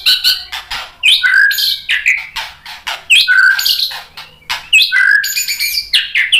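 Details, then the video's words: White-rumped shama song played to provoke a reply: a rich, varied stream of loud whistles, harsh rasping notes and sharp chirps, with clear falling whistled phrases repeating about every second, nearly continuous throughout. "SUARA MURAI BATU biar EMOSI NYAUT jadi GACOR BONGKAR MATERI ISIAN | PANCINGAN MURAI"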